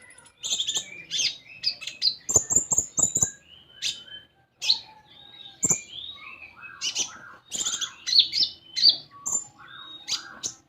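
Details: Common iora (konin) song for prompting an untrained bird: busy mixture of high double-toned chirps, fast rattling clicks and lower burbling notes, almost continuous.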